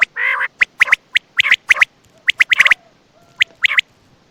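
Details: Quail (batair) calling by night near Attock: an opening raspy nasal burst, then a fast irregular series of sharp clipped notes and a faint thin tone.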